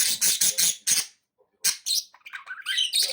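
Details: Three budgerigars give a rapid series of five harsh, scratchy chirps, a short silence, then more bright chirps and twittering notes.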